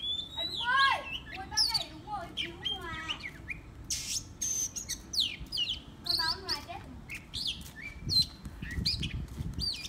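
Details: Decoy Oriental magpie-robin in sustained varied song, mixing sharp whistles, rapid descending trill series and quick chirps, phrases following each other with brief pauses over nearly ten seconds, low background noise underneath.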